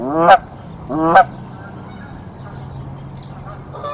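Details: Canada goose during a nest defence against an intruder; two loud rising honks about a second apart, followed by quiet background and faint distant calls.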